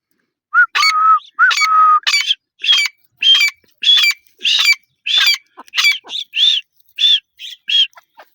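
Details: Grey francolin, known locally as teetar, calling loudly in a rapid series of bright, shrill notes. The first notes are lower and flat, and later ones rise into higher looping phrases, repeated roughly every half second over a quiet background.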